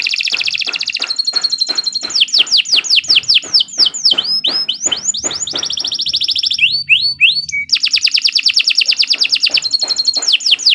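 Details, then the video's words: Canary song used as a master recording for training other birds: long, loud and continuous, with fast pulsed rolls alternating with series of downslurred sliding whistles, shrill throughout. "Kicau Burung Kenari II GACOR PANJANG Cocok untuk Masteran"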